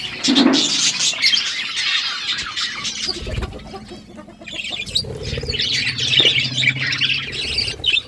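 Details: Budgerigars in the morning chirping and warbling in a dense, continuous high chatter, with scratchy squawks and flapping-like bursts, low background rumble underneath.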